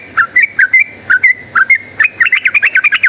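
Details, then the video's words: Rapid fighting chatter of a yellow-vented bulbul, played as a lure to make bulbuls fighters: clear, liquid two-part whistled notes in quick succession, speeding into a dense rolling burst near the end. "cuk cuk uplik uplik ! trucukan gacor ropel tarung"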